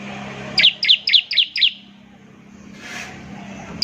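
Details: Ngebren singing of a bar-winged prinia (ciblek), meant to get other prinias singing quickly: a single run of five sharp high chirps at about four per second, then a low hum and faint noise.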